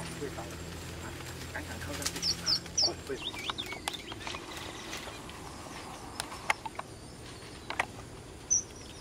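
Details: Wild red avadavat giving three thin, high chirps in quick succession, then one more a few seconds later, over low background noise and faint human voices; Red avadavat.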